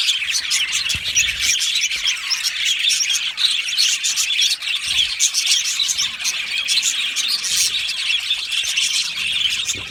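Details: Flock of budgerigars chirping and singing together, an unbroken bright chatter of quick tweets and warbled notes from many birds.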